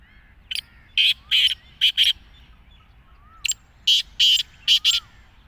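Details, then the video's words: Black francolin giving two loud, harsh, grating phrases of five or six rasping notes each, about three seconds apart, with a soft whistled note faintly beneath. "Kala Teetar Chakari Wala | Teetar ki Awaz"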